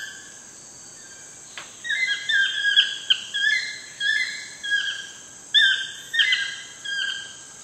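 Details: Wild toucans in Costa Rica calling at sunset: loud whistled yelping notes with downward slides, given in overlapping bursts about every half second to second, over a steady high insect drone.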